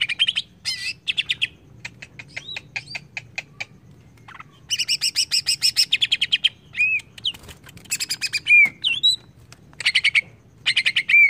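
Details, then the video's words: Greater green leafbird song used as a lure to make leafbirds agitated: bursts of rapid buzzy trills and clicking rattles alternate with short slurred whistles dipping and rising, separated by brief pauses, over a faint low hum. "AMPUH PANCING CUCAK IJO JADI EMOSI"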